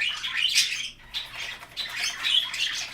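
A budgerigar warbles in a steady run of high, scratchy chirps and clicks, briefly pausing before the chatter resumes.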